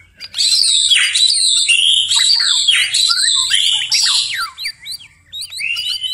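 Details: Night-time song of a white-rumped shama: dense bursts of high buzzy trills and downward-sweeping whistles, phrases pouring out almost without pause, ending in short sharp rising notes.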